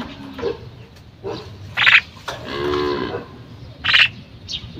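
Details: Calling female common myna giving two loud harsh rasping bursts about two seconds apart, with a longer throaty, buzzy harmonic note between them and softer chuckling notes around.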